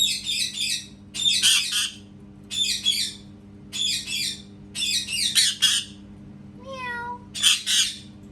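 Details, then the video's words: Parrot repeating rapid harsh squawks in close bursts about three per second, then a short meow-like falling call mimicking a cat, and more squawks; steady room hum. "PARROT MAKING CAT SOUNDS"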